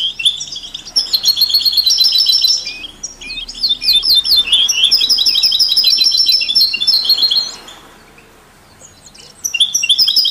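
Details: European goldfinch, canaries and mule hybrids singing to stimulate other songbirds: long rambling outpouring of high twitters and trills, fading to near silence before a final burst.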